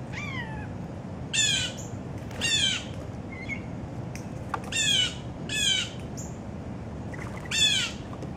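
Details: Noisy breakfast gathering of about fourteen adult and young Blue Jays in an oak next to a peanut feeder; harsh downslurred jay screams repeat roughly every second or so, six calls in all, with faint softer notes between and steady low rumble.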